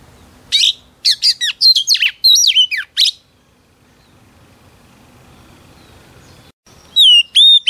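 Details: Female Oriental magpie-robin singing to stir up male birds: a three-second stream of sharp chirps and twisting whistles, a long quiet pause, then clear falling whistles returning at the end.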